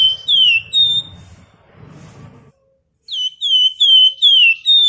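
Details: Flamboyan bird singing actively, used as a lure for other birds: series of clear whistled notes, each sliding downward, about five in quick succession at the start and end, separated by a quiet pause with faint low rumble.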